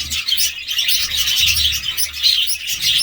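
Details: Busy budgerigar chatter: many bright, scratchy chirps and warbled notes layered together without pause, over a faint low humming background.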